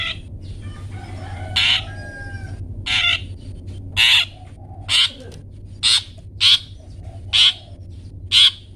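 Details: Long-tailed shrike in 'toet toet' style, a tutor recording for training pet birds to sing: loud, harsh, buzzy bursts repeated about once a second at uneven spacing, over a steady low hum.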